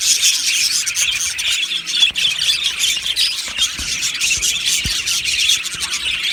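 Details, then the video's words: Australian budgerigars in an aviary colony singing and chirping: a dense, continuous wall of high scratchy warbles and squeaky chirps from many birds at once, with no pauses, plus faint low knocks. "Beautiful Budgies Singing and Chirping Sounds"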